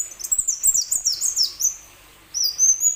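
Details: Plain sunbird used to coax other sunbirds into singing: a rapid, high-pitched twittering run of thin, slurred notes, a brief pause, then a sustained thin whistled phrase.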